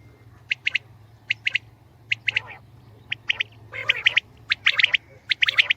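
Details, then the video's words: Common quail (batair) calling: short sharp double and triple notes spaced about a second apart, a few louder rasping bursts, with a low background hum. "Batair ki Awaz , Batair Sound vol 69 , Common Quail Sound 2020 | Common quail Calling"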